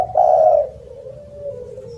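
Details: Loud spotted dove giving a single drawn-out mellow coo that fades into a long, soft, level trailing note.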